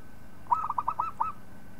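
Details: Local zebra dove singing, a recording meant for tutoring other birds: six rapid, evenly spaced cooing notes with a rolled, bubbling quality, the final note drawn out after a short pause, over quiet background hum.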